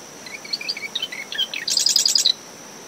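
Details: Early morning song of a marsh wren in windy dune vegetation near a nest at SMNWR, recorded ten meters from the tide line after tropical depression Claudette; a string of short varied tweets leads into a fast, dense trill, with a continuous cricket hum behind.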